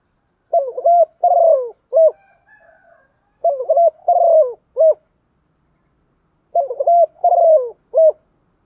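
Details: Female spotted dove calling to draw in males, repeating a mellow cooing phrase three times about every three seconds, each a few short hooting notes ending in a rounded, dipping coo; nothing else audible.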